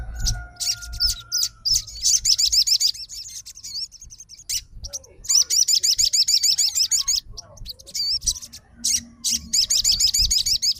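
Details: Crimson sunbird, a fighter bird, sings at once in reply to another sunbird's lively song: rapid high wavy trills in bursts of a second or two, broken by short gaps and sharp chips.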